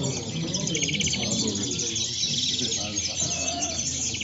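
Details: European goldfinches at El Prat de Llobregat singing in the moderna style: rapid buzzy high trills and twittering notes, with a steady low murmur of background noise throughout.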